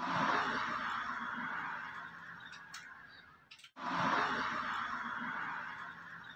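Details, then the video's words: Laughing kookaburra giving a loud, harsh, rolling laugh that runs for over three seconds, breaks off into a brief silence, then starts again in a second raucous burst of similar strength. "LAUGHING KOOKABURRA FOR REAL"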